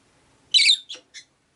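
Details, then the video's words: Rosy-faced lovebird chirping from a cage by a window in a group of five: one loud harsh buzzy squawk followed by two shorter chirps. "Lovebird Chirping Sounds"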